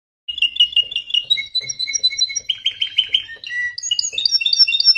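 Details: Canary of the Belgian type, red-factor mutation, singing; rapid trills of clear whistled notes, each phrase repeated several times before switching to another pitch, moving from mid to higher tones.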